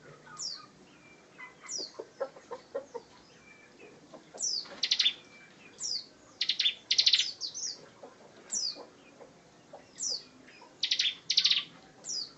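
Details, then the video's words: Bar-winged prinia in energetic 'gacor ngebren' song: sharp high descending chirps scattered through, broken by short dense buzzy bursts, with faint lower clicks in the background. "Ciblek Gacor Ngebren, Kicau Burung Master"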